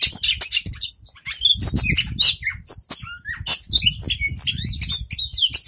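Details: Young male Oriental magpie-robin singing a fast, unbroken medley of high whistles, sharp chips and rolling trills, constantly changing phrase, over a faint low rumble.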